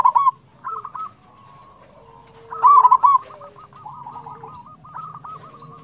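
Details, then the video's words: Zebra dove, local type, singing actively as a prompt for other doves: short loud coo bursts at the start, then a strong run of rapid staccato notes, with quieter rolling cooing from other doves around it. "PANCINGAN PERKUTUT LOKAL GACOR"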